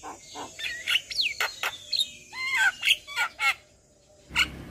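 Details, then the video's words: A Javan myna, a lively singer used as a tutor recording and lure for other mynas, pours out a rapid, jumbled medley of squeaky whistles, sharp chirps, gliding notes and harsh buzzy bursts, about four phrases a second, then pauses. "JAlak kebo GAcor Full Isian Masteran Jalak Kebo"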